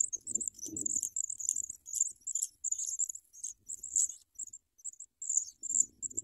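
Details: Hungry Sprague's pipit chicks as a parent brings large worms: a near-continuous stream of thin, high, squeaky chirps, closely spaced and urgent, with brief rustling at the start and end.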